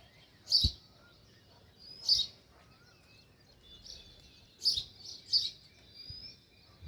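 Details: Sparrow near its nest in a village setting, giving short bright chirps in spaced bursts, roughly four to five notes over seven seconds, with quiet gaps and faint thin whistles between.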